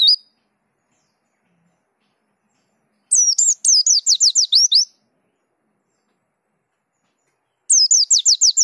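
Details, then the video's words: Dakun white-eye in rolling, lively song with repertoire on display: a single high note, a quiet spell, then a brisk run of thin descending whistles and chirps, and another rapid burst closing out. "Pleci Dakun Ngerol Gacor Bongkar Isian"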